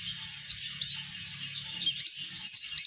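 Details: Oriental white-eye singing in the continuous ngeplong style, used as a lure to prompt other birds to sing: high, thin twittering chirps with quick rising and falling notes, louder bursts near the end, faint low hum beneath.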